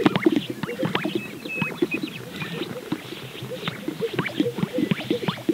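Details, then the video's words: Several greater sage-grouse displaying on a lek in Central Montana on a spring morning in April 2022 give overlapping low, hollow pops and bubbling gulps in quick, irregular bursts, with soft swishing between. "Greater Sage-Grouse Lek"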